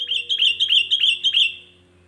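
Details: Sooty-headed bulbul (kutilang), singing to stir up other bulbuls, gives six quick bright whistled notes in an even rhythm, each sliding down slightly, then falls silent; low steady hum beneath.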